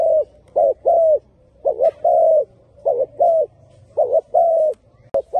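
A spotted dove coos in soft, low, hollow notes, grouped in twos and threes and repeated about every second and a half against quiet background hum.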